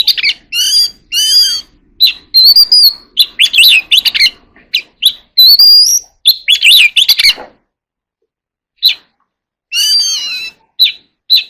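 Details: Oriental magpie-robin contest singing, rich chattering and warbled phrases with long rising whistles, the song thinning to scattered single notes after a pause in the later part.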